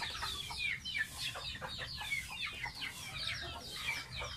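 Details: Baby pet domestic goose taking a bath: dense, high, thin peeping notes, many sliding downward, overlapping almost continuously, with faint low background hum.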